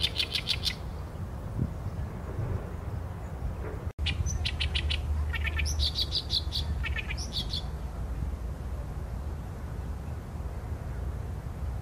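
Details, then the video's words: Oriental reed warbler, recorded with a Sony A7M3 camera: a brief rasping burst, a quiet gap, then a run of loud grating repeated syllables and squeaky notes before the song stops, leaving low background noise. "개개비 - Acrocephalus orientalis - 大苇莺 - bird song"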